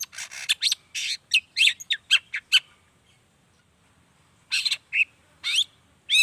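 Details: Long-tailed shrike in energetic song, used to lure other shrikes into calling; rough chattering phrases and squeaky slurred notes, a pause of about two seconds, then further harsh bursts.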